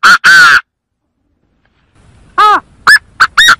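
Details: Chinese francolin call used as a trapping lure: two loud harsh notes, a pause, then a quick run of four clipped, ringing notes.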